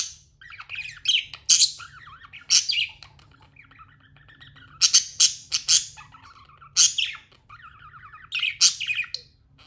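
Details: Pet budgie trading loud piercing squawks, roughly every second or two, with quieter twittering warble and buzzy chatter in between; faint constant hum below.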